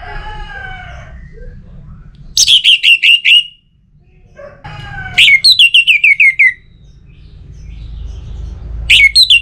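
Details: Orange-headed thrush song used as a lure to get other birds singing: rapid bursts of varied, high whistled and slurred notes, each phrase lasting about a second, with a steady low hum and some softer tonal sounds at the start.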